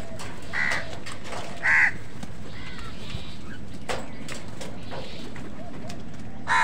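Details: Several spaced, hoarse caws from crows contesting food with wild birds, one near the start, one louder after a second, another at the end, over soft background noise.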